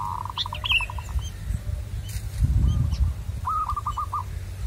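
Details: Wild local zebra dove singing during lure-trapping: two bursts of rapid pulsed cooing, one opening the clip and another near the end, with brief higher chirps from other birds and low rumbling background noise.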